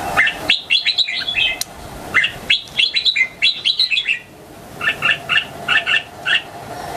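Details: Young red-whiskered bulbul countersinging against other bulbuls: clear whistled phrases of quick up-and-down notes in short bursts, then a series of evenly spaced double chirps, with steady background hum.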